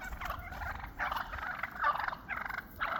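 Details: Wild turkeys flocking up after a snow storm, not having seen each other for months and establishing their pecking order; harsh rattling gobbles in repeated bursts roughly every half second to second, with a low rumble underneath.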